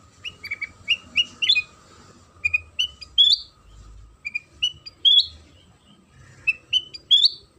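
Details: Lure song of a sooty-headed bulbul, played to set other bulbuls singing. Clear, rising whistled phrases, some upslurred and sharper, come in bursts of three to four with short pauses. A thin constant tone and soft rumble sit beneath.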